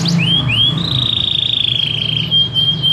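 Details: Canary singing in the lively modern 'gacor' style with cengkok phrasing: two quick rising whistled notes lead into a long, fast-trilled tone held steady for about two seconds, with a low steady hum underneath.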